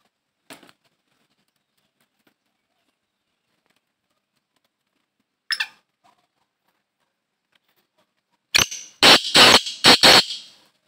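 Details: Black francolin, known locally as kala teetar, giving a harsh, grating burst of about five loud rasping notes in quick succession near the end, after a long quiet stretch broken only by two faint isolated clicks.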